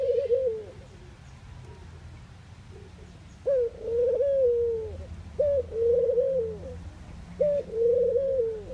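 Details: Faint broken coos at first, then three clear low phrases from a Eurasian collared dove in the Netherlands, each a short sharp note running into a long wavering coo.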